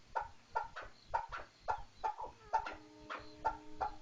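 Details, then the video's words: Chukar partridge calling in a steady series of sharp, clucking notes, roughly two per second, each with a brief rising edge. A faint steady hum runs underneath partway through. "kınalı keklik sesi"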